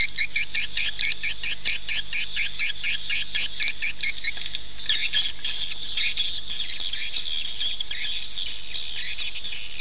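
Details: Lure recording meant to draw swiftlets into nesting: fast runs of high clicking chirps, rapid and even at first, then merging into a denser, continuous twittering in the second half.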